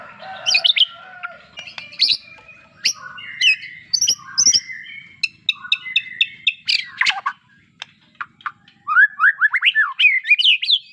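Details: White-rumped shama singing a varied, rich medley of whistles, harsh chattering notes and sharp clicks, ending in a fast run of rising slurred notes.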